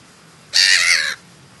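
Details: Black-headed gull recorded in the New Forest, Hampshire, England, July: one loud, harsh, grating cry held for over half a second, even and rough in tone, with little else audible.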